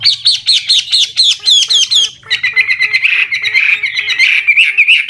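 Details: Old wild Chinese hwamei singing changing phrases to spur young birds to sing; quick series of high falling whistled notes, then a steady warbling trill with soft lower pips repeated several times a second.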